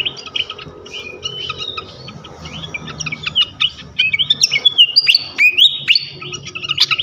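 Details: Flycatcher (sikatan) song used as a provoking lure for other flycatchers: rapid twittering phrases of whistles and clicks, growing louder and denser in the second half, over a faint low hum.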